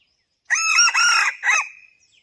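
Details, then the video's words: Male red junglefowl; one loud harsh crow in three connected parts, a rough rising opening, a sustained middle section, then a falling trailing note that fades out, in otherwise silent surroundings. "అడివి కోడి.పుంజు"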